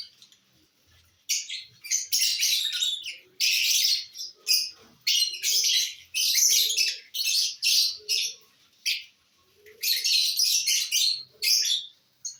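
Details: Lovebirds feeding on corn, keeping up a dense, shrill chatter of rapid screechy chirps in choppy bursts through the whole stretch, with brief pauses between runs.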